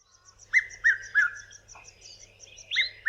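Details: Red-chested cuckoo of southern Africa, its call rendered 'piet-my-vrou': three loud, clear whistled notes in quick succession, a pause, then the phrase starting again, with faint high chirps from another bird behind.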